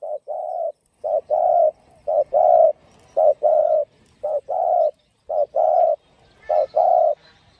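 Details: Field-voice spotted dove song with driving coos, aimed at luring and stimulating other doves; low hollow coos in paired short-long groups, repeated steadily roughly every second, with faint rustling behind.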